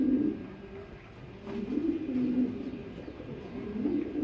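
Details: Pigeons in Tehran Bird Garden, Iran, which holds a large collection of different pigeon species, give low, throaty cooing phrases that open the recording, resume after a brief pause, and continue to the end against a faint hum.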